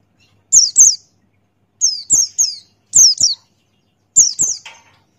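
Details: Buxtoni white-eye male in the 'ngalas' open-beak song style, giving high, thin downslurred whistles in quick pairs and triplets, with short pauses between bursts. Quiet background.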